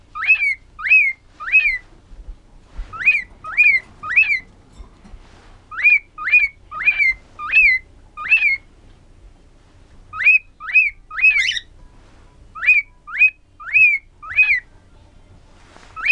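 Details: A male white-faced cockatiel sings bursts of rising, slurred whistles, three or four at a time, directed at a jacket sleeve.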